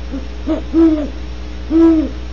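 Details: Great horned owl near a barn owl cavity at Audubon Starr Ranch, California, around 13:51 GMT, gives deep, soft hoots: two quick short notes, then two longer drawn-out ones, at a steady low pitch; the nearest one kept calling with almost no variation.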